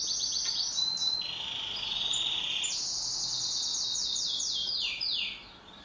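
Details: Home pet canary singing in duet: rapid repeated chirps lead into a lower buzzy trill, then a high rolling trill ending in swooping descending notes before fading.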